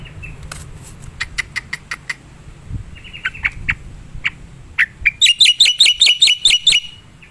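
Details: Black-winged myna heard in the wild as a lure sound: sharp clicking ticks and a few harsh notes, then a loud, rapid burst of high, ringing chatter repeated about twice a second.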